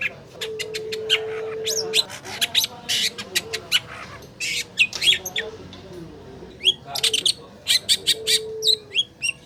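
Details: Long-tailed shrike lure recording meant to coax a reluctant caged bird into singing: bursts of sharp, high chattering notes and harsh buzzy squawks, broken by short pauses, with a steady low hum coming and going.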